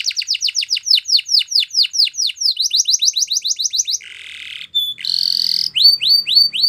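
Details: Spanish Timbrado canary singing: rapid series of descending whistled notes about four per second, shifting to a buzzy trill, then rising upswept notes.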